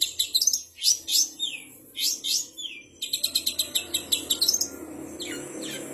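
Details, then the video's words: Cendet (long-tailed shrike) reproducing kapas tembak, canary, fighting sparrow and ciblek sounds. Several downslurred whistles precede a rapid train of short, even notes, ending in softer scratchy calls over low background rumble. "Burung cendet materi kapas tembak, kenari, gereja tarung, ciblek"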